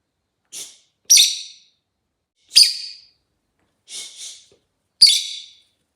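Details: Chatty rosy-faced lovebird singing and chirping: short, shrill, harsh chirps in irregular bursts, five or six across six seconds, one doubled, separated by quiet pauses, with no other sounds.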